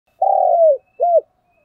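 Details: Spotted dove kept as a decoy bird for training, giving a coo: a long level hum falling at the end, then a short arched note after a brief pause. Quiet background.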